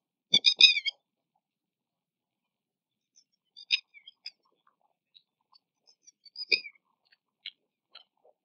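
Red-wattled Lapwing gives a quick burst of about five loud, sharp, ringing notes, followed by a few scattered fainter calls over near silence.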